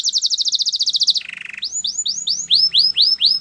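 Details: Singing canary for training: a fast high rattling trill gives way to a lower buzzy roll, then a series of clear upward-then-falling whistled notes repeated roughly every quarter second.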